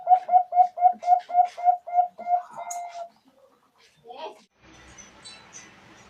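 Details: Lure call of a zebra dove for trapping: a quick run of about nine short, even, mid-pitched coo notes, fading into softer notes, then human voices and rustling noise.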